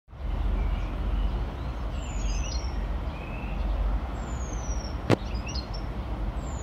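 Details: Eurasian penduline tit preening and calling near its nest in Parque Manzanares Sur: thin, high whistles sliding downward, given three times at roughly two-second gaps, over a constant low roar of traffic with a sharp click near the end.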